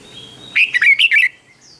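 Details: Red-whiskered bulbul singing ché, a style for provoking rival singing. One short, loud phrase of five or six slurred, warbling notes, with a faint low hum beforehand.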